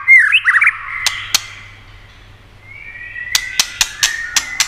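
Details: Short whistled flourish from a white-rumped shama, sung to stimulate other shamas, followed by a thin drawn-out note and a string of crisp clicks roughly every quarter second.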